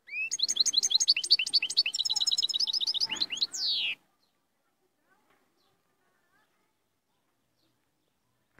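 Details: Moroccan royal goldfinch in full song: a rapid, busy stream of high tinkling and twittering notes for about four seconds, closing on a drawn-out descending buzzy slur, followed by silence.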